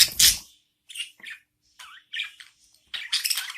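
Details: After a sharp knock at the start, newborn budgerigar chicks being fed by their mother give scattered rasping chirps, then a louder harsh burst at the end.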